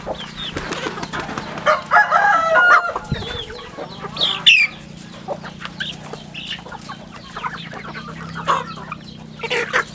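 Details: Chicks on a rural farm give bright, descending peeps alongside louder clucking bursts and scuffling, over a faint low hum.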